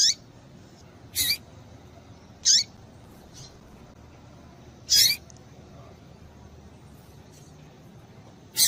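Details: Female Double-collared Seedeater calling to excite males: bright, high, clipped chips roughly every one to two and a half seconds, with a few fainter notes between, over steady low hiss.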